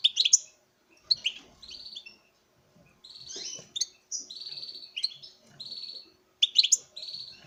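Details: European goldfinch male singing to a female in captive breeding: sharp tinkling notes mixed with sustained wheezy buzzes and rapid twitters, in phrases of one to two seconds, with soft cage noises underneath.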